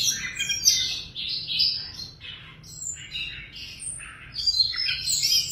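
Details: Tame Siberian rubythroat kept in a cage, delivering a fast jumble of scratchy, warbled and high whistled notes, some phrases buzzy and dense, over a faint low hum.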